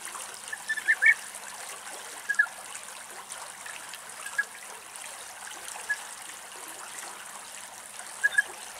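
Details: European bee-eaters (Merops apiaster) in Greece, three birds contesting a single nest, give short, rolling mid-pitched calls: a cluster at the start, then single notes every two seconds or so, over a steady trickling hiss.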